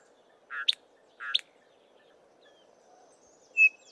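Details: Chinspot Batises foraging as a small group in tall Acacia trees; two soft, rasping double notes, followed by a single loud, clear whistle.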